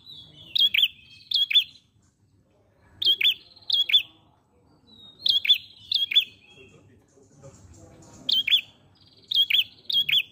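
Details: Ashy prinia singing repeatedly, with clear, piercing paired chirps that fall in pitch. They are delivered in short groups every second or two over a faint low murmur of background noise.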